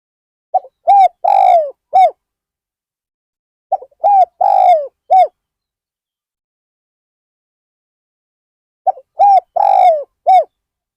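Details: At Ban Nong Hin, a spotted dove kept as a decoy for luring wild birds gives three low, hollow cooing phrases. Each phrase has a short opening note, then arched and drawn-out coos, with long silent pauses between phrases.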